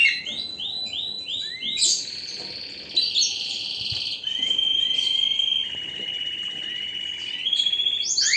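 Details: Canary song beginning with a row of repeated rising chirps, then long flat rolling trills held for several seconds at steady pitch, changing tone between phrases.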